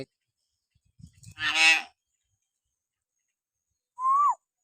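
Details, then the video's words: Common hill myna, natural whistling voice used as a tutor recording to provoke pet mynas into calling: a loud, harsh, broad rasping note, a pause, then one short clear whistle that rises and drops sharply. "masteran burung beo suara siulan alami"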